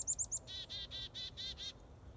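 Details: Wild finch calling: three quick high clipped chirps, then a run of six buzzy, harmonic nasal notes evenly spaced about every fifth of a second, over faint low background noise.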